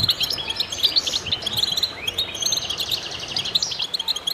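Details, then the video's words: Chorus of many goldfinches singing together in concert: dense, overlapping high twittering and tinkling notes, fast chirps with a few rising slurs, continuous throughout with no pauses. "voices a chorus of goldfinches in concert to stimulate birds"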